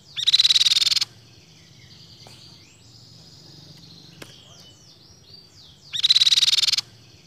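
A babbler gives two loud, dense bursts of high, rapid chattering, each about a second long and five seconds apart, with faint twittering between them.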